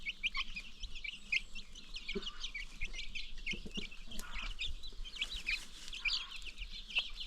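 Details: Baby chicks on a free-range chicken farm peep continuously in a high, crowded chorus, mixed with occasional low hen clucks and light background knocks.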